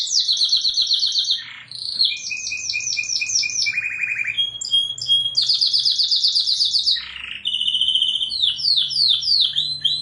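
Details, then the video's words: Canary song played to train pet songbirds: a varied sequence of fast trills, pulsed chirp series, and short whistles, changing pitch every second or two with brief gaps. "MASTERAN BURUNG KENARI"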